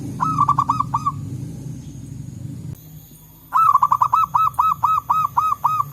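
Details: Local zebra doves answering each other in the wild forest: a brief phrase of ringing notes, a pause, then a longer rapid run of about ten bright, bouncing coos, with low rumble at first.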